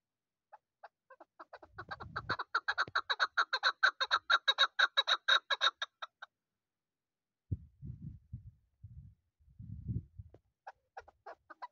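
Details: Young chukar partridge of this season, kept for hunting, giving a long run of sharp chuk notes that builds over four seconds into fast, loud repetition, followed by low thuds and a few faint notes near the end.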